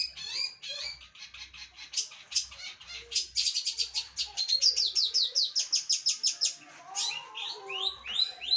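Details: A trained long-tailed shrike (cendet) in full, vigorous song. High, varied phrases with sharp whistled notes and slurred upward sweeps. A long run of rapid, evenly spaced chips in the middle gives way to swooping whistles, with faint low thumps beneath.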